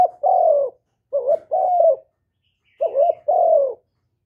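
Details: Spotted dove, the Vietnamese cu gáy, delivering call and coo phrases meant to stir caged decoy doves. Three mellow phrases each pair a quick wavering note with a longer, steady, gently descending coo, with clean silence between.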